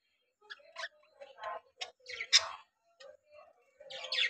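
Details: Caged budgerigars from three breeding pairs keep up a soft, scratchy chatter of short chirps and warbles, rising into a louder harsh squawk near the end.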